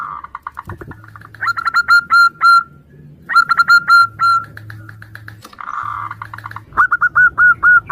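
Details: Answering local zebra doves, a female calling for the male, played as a lure: buzzy rapid notes alternate with runs of crisp repeated coos, about four a second, over a faint low hum.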